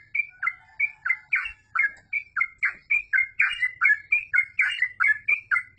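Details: Yellow-vented bulbul in full, continuous song: an unbroken run of bubbly, warbling double notes repeated about every third of a second, each a quick liquid slur with a slight upward lilt.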